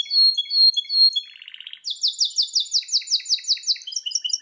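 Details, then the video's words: Belgian canary in strong, loud song: high piping notes repeated in pairs, a short low buzzy trill, then a long rapid series of sweeping downward chirps about five per second, with softer twittering below. "o canário belga canta muito forte"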